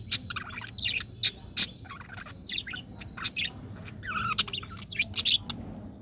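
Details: Colorful pet budgies chirping: scattered short high chirps and warbled notes, some sharp clicks, in uneven bursts over a low background hum.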